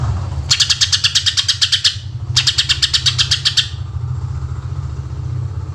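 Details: Greater green leafbird, recorded in natural voice and used as a lure for other birds, gives two fast bursts of bright, rapid, evenly repeated chattering notes, each about one and a half seconds long, over a steady low engine-like hum.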